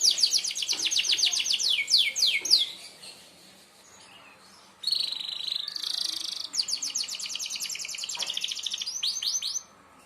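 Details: Canary of the merlok type singing sharp shots for training other birds: quick trills and falling sweeps, a pause, a buzzy stretch, then more fast trilled phrases and chirps.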